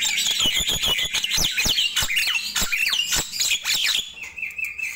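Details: A Nias hill myna in full morning song. Rapid squawky, slurred notes pour out in a steady stream, ending with a steady whistled tone.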